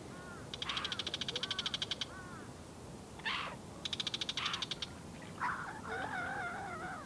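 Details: Bull-headed shrike in South Korea, one of a probable mated pair with the male following the female, gives fast, harsh chattering bursts of about eight notes a second, then rasping squawks and scratchy warbled notes, with faint softer whistles from another bird behind.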